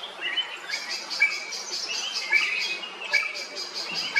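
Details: Drongo from Kerala, India: crisp whistled notes recurring every second or so amid fast, buzzy chirping and twitter.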